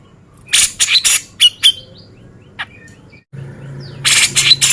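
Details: Male Cucak jenggot contest-training song, loud and sharp: scattered harsh broadband bursts and short whistled notes with a low hum, a brief dropout, then a dense rasping burst.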